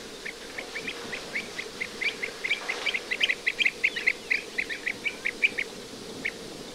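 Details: White wagtail (Motacilla alba) calls in winter, 20 February 2023, at a marsh nature reserve on the Gulf of Morbihan, France: quick runs of short, sharp chirps, bunched and overlapping as if from several birds, over a low steady hum.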